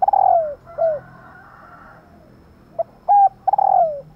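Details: Female spotted dove calling to trigger cooing from males: a long descending coo and a short second one, a quiet pause, then brief clipped notes ending in a drawn-out falling coo.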